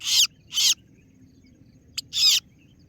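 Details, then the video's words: Kaso-kaso bird (singo barong) lure call used to draw rivals: harsh, scratchy notes with a rising tail, two quick bursts, then a click and a third burst after a pause, over a low background hum. "Suara pikat burung kaso kaso(singo Barong) Terbukti ampuh ,kaso kaso ciet ciet memangil lawan"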